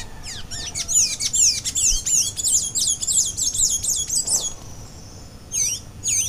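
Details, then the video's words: Blue-gray tanager (Sanhaço da Amazônia, Thraupis episcopus) of Brazil singing a fast, high, squeaky run of wavering notes for about four seconds, then a pause and a few more thin squeaks, with music in the background. "O canto do Sanhaço da Amazônia"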